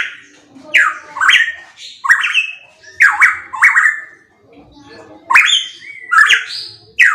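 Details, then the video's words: Pitohui in full loud song, raspy rising-and-falling notes in quick pairs, with a short quiet gap before another burst of higher, squeakier phrases. "Masteran Burung Pitohui MP3 _Suara Kenceng"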